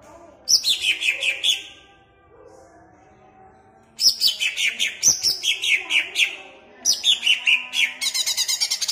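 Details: Greater green leafbird owned in Jatirejo, Pemalang, singing to provoke caged birds: energetic phrases of rapid, high, falling whistles and chirps, a long pause, then two longer rushing bursts ending in fast trilled notes.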